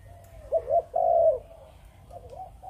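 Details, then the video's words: Captive Malaysian-bred spotted dove giving one chụp chụp ô phrase: two quick clipped coos and a long steady coo, trailing into soft quieter notes. "Chim Cu Gáy | Chụp Chụp Ô | Cu Malaysia Sinh Sản"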